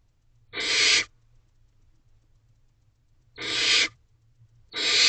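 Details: Wild barn owls in a nest box at night, 10:51 pm on 5/2/23, during a food delivery to the owlets: three harsh, breathy hissing screeches, each about half a second, over a faint low hum.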